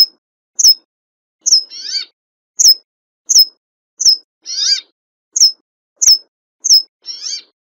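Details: Brambling repeating short, high, down-slurred whistles at a fairly steady pace, every few notes broken by a rough, nasal, buzzing rasp, against a silent background.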